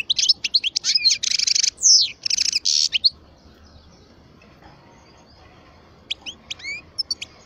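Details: Twelve-year-old caged European goldfinch of the parva type sings a loud three-second burst of buzzy trills and twittering slurs, then silence and a few thin high chirps.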